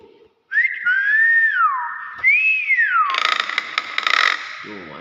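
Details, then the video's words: Nias hill myna giving two smooth, loud whistles that slur upward and then fall away, followed by a harsh, noisy burst; faint human speech sits in the background. "BEO NIAS SUARA ASLI"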